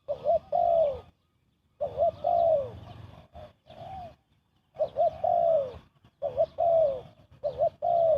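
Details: Spotted dove coos used as a trapping lure: bursts of paired notes, a short wobbly coo followed by a longer falling one, in groups separated by brief silences, with faint high chirping behind.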